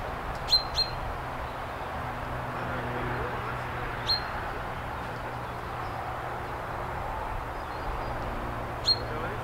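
A common chaffinch gives four short, sharp, high 'pink' notes, two close together at the start and then single ones several seconds apart, over steady background rumble.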